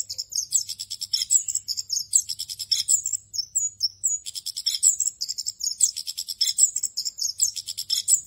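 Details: Rolling 'ngerol' song of an orange-headed thrush, rich in fill phrases, recorded to train young birds. Very high, rapid chirps and short slurred whistles pour out almost without pause, with one brief lull near the middle and a faint hum.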